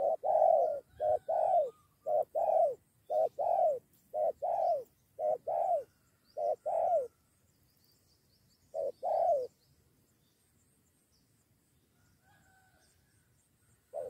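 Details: Spotted doves during bird luring, one calling a companion to confront the decoy: rapid paired hollow coos, a short note then a longer one, repeated about a dozen times over seven seconds, then a lone pair, silence, and a final coo.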